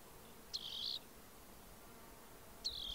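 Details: Rock wren singing: two short, buzzy, high trilled phrases, each opening with a sharp upward click and then holding a steady level, about two seconds apart over a quiet background hiss.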